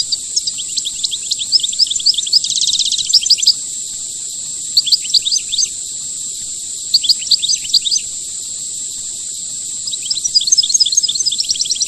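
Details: Rare khelwii song of a European goldfinch: bright, fast twittering phrases with a dense buzzy trill early on, repeated in clusters every couple of seconds, accompanied by a steady high electronic-like hiss.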